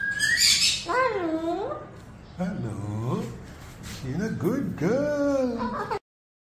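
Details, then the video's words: Moluccan cockatoo talks in a raspy, squawky imitation of human speech: a harsh screech, then several wavering voice-like phrases over about five seconds. "Moluccan Cockatoo Talking"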